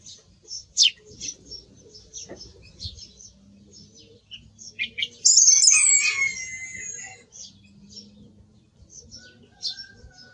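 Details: Song thrush: faint, thin high notes at first, then one loud, clear whistled phrase lasting about two seconds, trailing off into quiet scattered notes over a low background hum.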